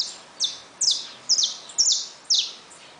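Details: High, buzzy, falling chirps from caged saffron finches with newly hatched chicks, six notes spaced roughly half a second apart.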